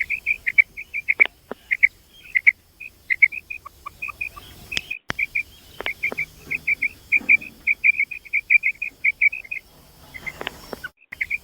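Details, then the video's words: Calling female common quail (batair): long run of brisk, high, sharp chirps at irregular spacing, sometimes doubled, with a few faint lower notes and scattered clicks in between. "new female batair sound 2024 ki new awaz mada batair ki Kamal awaz batair ki awaz common quail sound"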